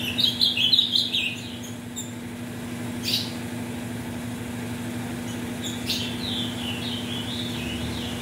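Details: Ultramarine grosbeak in metralha style, son of mutation-bred parents, used as tournament warm-up: a short burst of warbled notes opens, then quiet, then a wavering run of sliding phrases near the end, with a constant low hum beneath.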